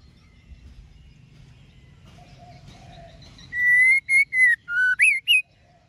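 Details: ['Female white-rumped shama calling to stimulate males to sing; after quiet, six clear whistled notes come in quick sequence, the later ones dipping and then rising sharply.']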